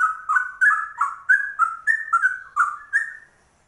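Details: Rare trucuk, or yellow-vented bulbul, with a ropel copied from the straw-headed bulbul: about ten loud, clear whistled notes in quick succession, each a short upward or downward slur, ending abruptly into silence.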